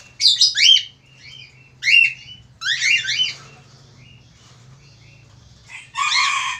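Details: Male Australian finch singing vigorously, with a rapid run of high, sharp chirps and twittering phrases, followed after a pause by a harsh, buzzy squawk, over a low background hum.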